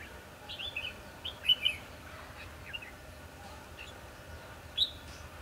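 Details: Decoy red-whiskered bulbul singing during a trapping session, 22 December 2015. It gives a run of quick, clear, warbled whistles early on, several loud notes in a row, then one last sharp phrase near the end, over faint steady background noise.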